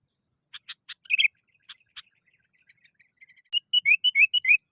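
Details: Agitated sooty-headed bulbul challenging a rival: a few sharp clicks and scattered soft notes, then a fast series of bright, slurred two-note chirps, one rising and one dipping, repeated in quick succession.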